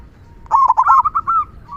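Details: Singing local zebra dove with a big kung voice, kept to spur other doves to sing. One brief loud burst of rapid, rolling coo notes, sharp and stuttering, then a faint trailing call.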